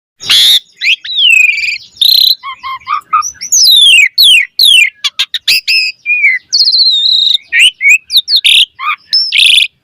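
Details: Asian pied starling song used as a lure to prompt other birds to sing: fast, varied medley of loud whistles, rising and falling slurs, and harsh chattering notes in quick bursts, densely packed with brief pauses.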